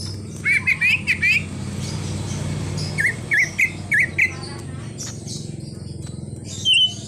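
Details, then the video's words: Greater green leafbird with full-mimicry 'isian' song featuring a car-horn imitation: a tight cluster of wavering whistles, a second group of short slurred notes, then a single high whistle over a low drone. "Cucak Ijo Full Isian_Ada Bunyi Klakson Mobilnya Juga"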